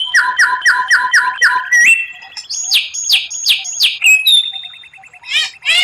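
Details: Murai batu (white-rumped shama) rare tutor phrases, said to impress contest rivals: rapid repeated whistled notes, a rising level whistle, loud high downswept notes in series, then a thin trill and a final burst of chirps.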